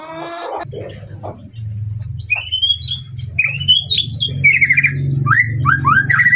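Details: White-rumped shama song to provoke a rival, opening with a brief harsh squawk, then clear rising whistles and quick falling slurred notes over a steady low hum and background rumble.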